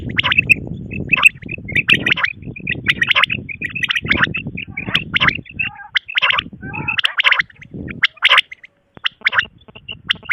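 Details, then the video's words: Quail give harsh, squawky chattering calls, high-pitched and overlapping, about once a second, over a low rumbling background noise. "quail sound birds. batair ki awaz batair Rat ke awaz. batair sound."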